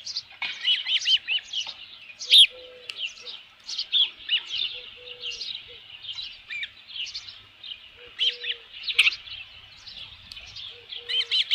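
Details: Osprey at its nest with a headless fish, recorded at Dunrovin Ranch on 27 June 2018 around midday. It gives a steady stream of high, sharp, whistled chirps, repeated several per second, with brief low tones now and then.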